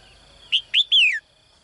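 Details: A caged female bird's morning call for a strong male: a short chirp, a second rising chirp, then a drawn-out whistle that slides steadily lower, against a soft constant high tone.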